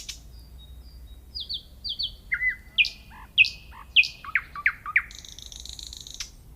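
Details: A nightingale sings a clear phrase: thin high slurred notes, a level whistle, sharp descending strokes repeated in pairs and triplets, finishing with a high buzzing trill.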